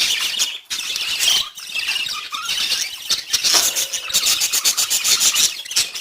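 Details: Several pet budgies chattering in the morning, with rapid overlapping high chirps, squeals and buzzy warbled notes that run almost without pause, briefly dipping quieter before rising again into busy twittering.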